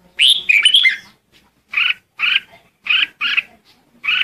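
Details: Flock-calling lure song of the red-whiskered bulbul: one rich warbled phrase followed by a series of harsh, scratchy chirps spaced roughly half a second apart.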